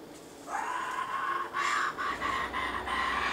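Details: Wild laughing kookaburras near bushland while an adult feeds its chicks; a harsh, sustained tonal call starts after half a second and carries on in short joined segments with brief breaks, over a quiet background.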